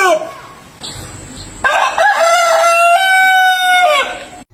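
A rooster gives one loud, harsh crow lasting about three seconds, rising and then holding steady before breaking off at the end. A short clucking precedes it.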